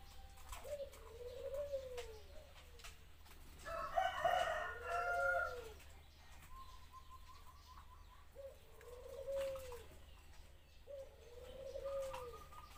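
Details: Zebra dove singing: phrases of cooing notes with a fast rattling trill, repeated several times with gaps, plus a brief noisy burst partway through.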